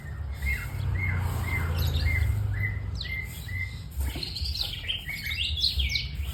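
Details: White-rumped shama first repeating a clear two-part whistled note about every half second, then switching to a louder tumble of high sweeping and chattering notes, above a steady low drone.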